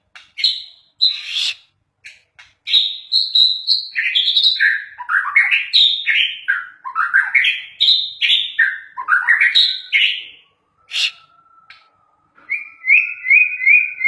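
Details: Kept canary from Banten, described as exceptionally chatty, delivers a loud, varied song of quick warbled phrases that rise and fall in pitch, with short pauses, ending in a series of repeated buzzy trilled notes.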